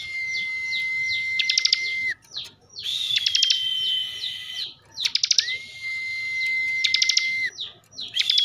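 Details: Caged bar-winged prinia from Slawi, Tegal, Central Java, singing in the 'bren' style: long level whistled tones, one high and one lower, overlaid with rapid clicking bursts and short downslurred chirps, phrases about every two to three seconds.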